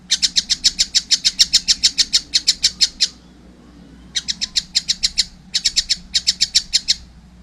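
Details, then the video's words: Nestling-age collared kingfisher calling actively, a long burst of roughly seventeen quick, piercing, repeated notes, a pause, then two shorter bursts of six to eight notes at the same brisk pace. "wow masih kecil udah gacor , anakan burung tengkek buto"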